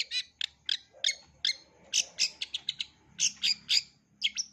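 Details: Full-repertoire long-tailed shrike singing for young birds to learn: separated bursts of scratchy chirps, at first about every half second, then crowding into a quicker cluster with a faint low murmur behind.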